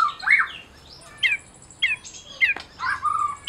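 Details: Medan white-rumped shama, a champion bird whose song is played to rouse other shamas: quieter, spaced bursts of downslurred whistles and harsh rasping notes separated by short gaps, with faint background hiss.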